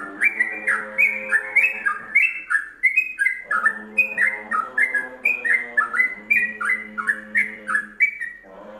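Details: Yellow-vented bulbul in the ropelan song style, a WK combination used as masteran for training songbirds: a continuous run of rich, bubbly whistled phrases, each note sliding up or down, delivered in quick rolling bursts with faint high ticks above.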